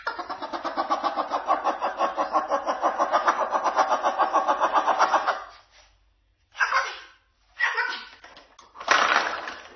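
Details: Pet cockatoo asserting itself as the boss: a long, loud, harsh rasping call pulsing about six times a second for five seconds, followed by three shorter harsh bursts.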